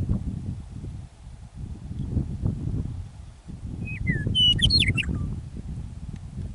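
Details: Meadowlark singing in prairie near Michichi Dam, Drumheller, Alberta, Canada, on a beautiful early spring evening after winter: one short phrase of clear whistled notes sliding downward, then a quick jumbled high flourish, over a steady low wind rumble.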